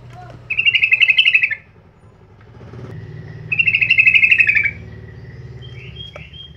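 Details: Sooty-headed bulbul, played as lure audio to prompt birds to sing, gives two fast buzzy chattering trills about two seconds apart over a steady low hum, with faint thin notes at the end.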